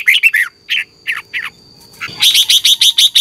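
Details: Red-whiskered bulbul in morning competition song meant to rouse other birds: a few short, slurred warbles, then a brisk, evenly repeated series of sharp high chirps to the end.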